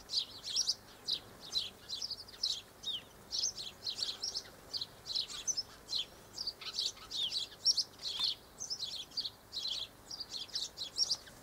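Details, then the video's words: Group of double-barred finches (Taeniopygia bichenovii) recorded 1 December 2013 in hot sun, giving a steady stream of high, thin, nasal chirps, about two per second, overlapping from several birds. "Double-barred Finches"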